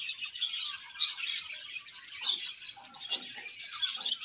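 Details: Budgie pairs kept for breeding give a lively warbling chatter, high squeaky chirps tumbling over one another in quick uneven bursts, with faint lower rustling underneath.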